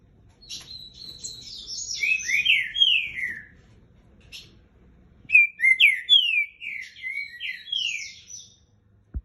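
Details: Green-winged saltator, a captive bird aged three years and nine months, repeating two phrases of rich whistles that slide downward in a stepped series, separated by a brief pause.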